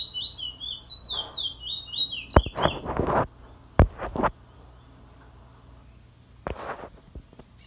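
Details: Chestnut-bellied seed-finch (Trinidad bullfinch), April 2021, in the morning, singing its drawl and 'wheet drawl' song: fast, slurred, sweet whistles in a quick run for about two seconds, followed by knocks, rustling and brief human voices.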